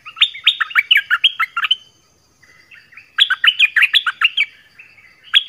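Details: Dok Taeng bird delivering varied song phrases in an original recording: two loud strings of rapid, sharply falling whistled notes, nearly back to back, joined by a softer warbled bridge.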